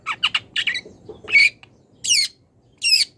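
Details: Young wild long-tailed shrike calling a rival: quick rasping notes at first, then longer grating squawks with downward-sweeping harsh tones, spaced under a second apart in a quiet setting.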